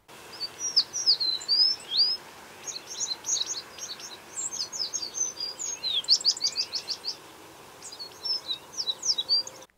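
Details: American tree sparrow song from eastern North America: a bright run of high, sweet whistles and quick slurred notes, repeated in phrases of a second or two.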